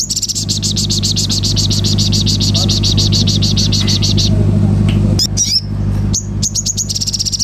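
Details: Common iora giving a long, fast, buzzy trill of high notes for about four seconds, then a few separate sharp chirps and a second short trill, over a steady low hum.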